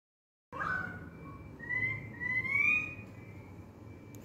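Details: An Australian magpie, among noisy magpies and currawongs outside a window, gives clear, fluted notes that slur upward and warble over about three seconds, against a steady low background rumble.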